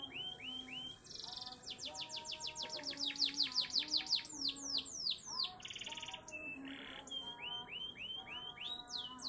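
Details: Panda canary singing a long varied song: clear rising whistles, rapid rattling trills of repeated downswept notes, buzzy sustained phrases and sharp chirps, loud and continuous, over a faint steady low hum.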